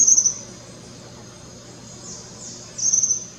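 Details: Young Tropical kingbird vocalizing at Parque da Chacrinha, Rio de Janeiro, in February 2019; very high, thin buzzy trill bursts, one at the start and another near three seconds, with faint falling sweeps between.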